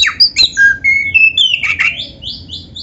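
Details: Lively kacer with a black chest, a cage bird with a canary-style repertoire, delivering clear whistled notes at shifting pitches, slurred rising and falling phrases, then a run of short repeated chirps, all against a quiet background hum.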